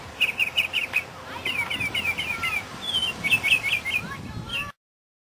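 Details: A Northern Mockingbird sings quick bright phrases in 2006, each note repeated three to five times before switching to a new one, with a faint hum of background noise.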